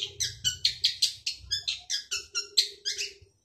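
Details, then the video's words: Loud, rapid rasping notes from a male long-tailed shrike, about three to four per second in a steady chattering series, with a faint low hum underneath. "Burung cendet jantan gacor dor cocok untuk pancing cendet bisu"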